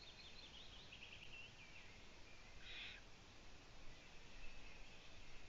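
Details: Owlets in a nest on 4 June 2017 in the afternoon, their mother absent for two days, two young gone out onto a balcony; faint wavering high calls early, then a short rasping hiss-like burst near three seconds over steady low rumble.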